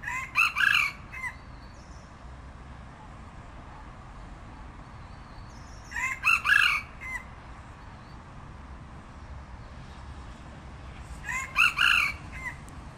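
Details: Red junglefowl rooster crowing, three crows spaced about five seconds apart, each a short harsh multi-part phrase with a rough opening and drawn-out ending, over a steady low background hiss.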